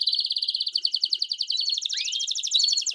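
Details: Canary singing campainha style, for teaching young canaries to sing: a continuous fast pulsed high trill with one quick rising slur threaded through it.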